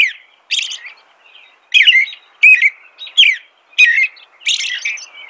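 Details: American robin song: a steady string of short whistled and slurred phrases, alternating higher and lower notes, with a few softer squeaky notes between them.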